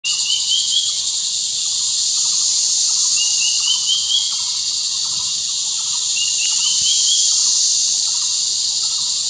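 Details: Square-tailed drongo-cuckoo singing in low-elevation Arunachal in summer: three runs of five or six clear whistles, each run stepping upward in pitch, set against a loud, continuous high insect drone.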